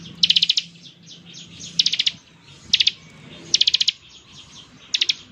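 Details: Ngebren-style song of a Bar-winged prinia, meant to make other prinias answer: five rapid, high, rattling bursts of four to six notes, spaced irregularly, with a steady low hum underneath.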